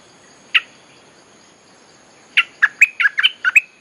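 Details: Bulbul song used to call wild birds: one sharp note, a pause of nearly two seconds, then a quick run of rich chirps and short whistled phrases.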